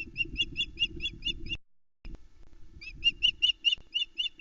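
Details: A hungry female osprey on her nest at Loch Arkaig, 21 May 2020, waits for the male's first fish of the day. A nest camera records a fast run of shrill, piping whistles, a short pause, then another rapid series over low wind rumble.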